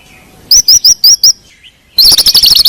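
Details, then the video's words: White-rumped shama song used to lure a reluctant singer: five loud, clear rising whistled notes in an even series, a short pause with a soft note, then a rapid chattering burst of bright upslurred whistles, very close and loud. "PANCING MURAI MALAS BUNYI"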